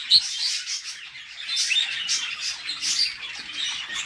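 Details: Nest-box scene of a female budgerigar feeding her young, with continuous high, raspy chattering and a few thin whistled notes mixed in.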